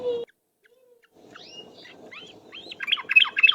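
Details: Trucuk, or yellow-vented bulbul, singing ropel-style as a lure sound: a few slurred upward whistles that speed up into a rapid bubbling chatter at the end.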